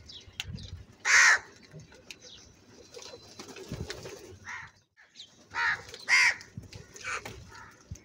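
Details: Loud, angry crow giving scattered harsh caws: one strong caw early, then a cluster of three rasping caws near the end, with quiet rustling between them.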